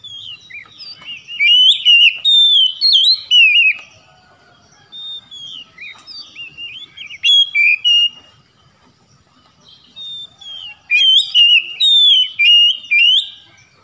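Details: Oriental magpie-robin song intended to prompt a silent bird to sing nonstop: bursts of loud, varied whistled and warbled phrases separated by quieter pauses, notes swooping up and down.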